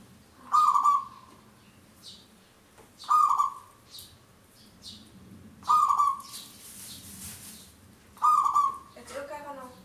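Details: Local zebra dove perched high and singing its long song, used as a trapping lure. Four loud cooing notes come at a steady pace, roughly every two and a half seconds, over a quiet low hum.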